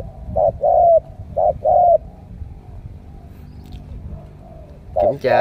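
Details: Caged Spotted Dove from Cà Mau, a decoy bird whose coo style is named đồng siêu gù, delivers two deep paired coos, a clipped note followed by a longer falling one, then a pause and a man's voice.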